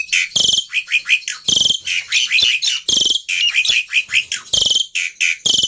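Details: Black-winged myna lure song with loud harsh squawking bursts repeated about every second, interleaved with rapid bubbling chirps and twittering.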